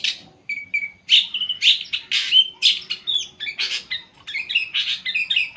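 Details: Long-tailed shrike kept as a songbird, delivering a varied song of short whistles, harsh chatters and clear slurred notes in a steady lively stream.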